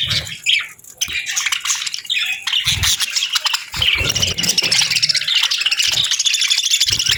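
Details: Parakeets chirping on a winter morning while eating warm meals; dense, continuous high chatter and squawky chirps from several birds, with a few low thumps.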